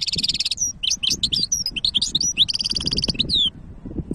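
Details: Goldfinch hybrid singing, recorded 2023: quick high twittering notes, buzzy rattled trills and a clear rising-falling whistle, delivered in a fast continuous run over faint low background rumble.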